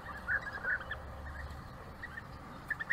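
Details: European bee-eater during a courtship gift exchange: soft, rolling, mid-pitched trilled notes repeated in short bursts, a few louder near the start and end, with low rumbling background noise.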